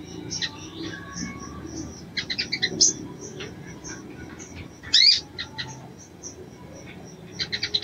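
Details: Crimson sunbird female calling a male to stir him into breeding condition, giving scattered high, sharp tweets and short stuttering chirp clusters, with one loud squeaky note near five seconds and soft background hiss.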